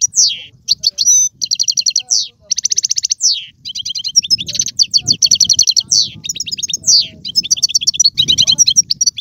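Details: A European goldfinch's song for motivating a pet bird to sing, rapid and lively, with repeated fast trills, buzzy rattles and tinkling chirps pouring out without pause; soft low background noise.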